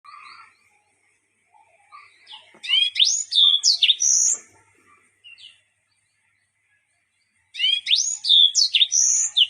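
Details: Yellow-fronted canary whose song is filled with unusual sounds. Bursts of bright, high, rapid warbling with sweeping slurred whistles, delivered in loud phrases separated by quiet gaps with soft chips.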